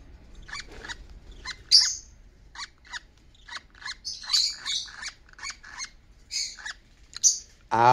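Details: A young Fischer's lovebird nestled on a person's shoulder under a robe collar chirps while an albino Fischer's lovebird searches for it: short, sharp, high chirps, roughly two a second, with shriller squeaks; a brief human voice at the end.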